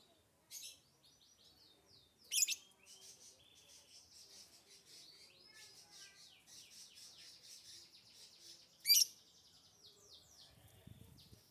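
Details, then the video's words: Lovebird twittering continuously in fast, high, squeaky chirps and trills, broken by two loud, harsh screeches near the start and toward the end; a faint low rumble comes at the close. "so that your love bird can sound fast"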